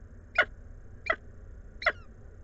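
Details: Peregrine falcon during a food delivery at the Anwil nest site, Włocławek, on 17 May 2022, 14:56; three short, grating calls spaced roughly 0.7 seconds apart against a low background rumble.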